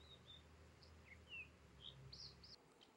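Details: An American dipper on the Sunshine Coast of British Columbia gives a string of short, high whistled and buzzy notes, some rising, others falling, over a low steady rush of water.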